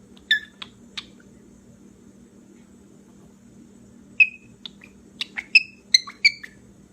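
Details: A pet cockatiel having fun gives short, bright squeaks and chirps in quick bursts over a low indoor hum.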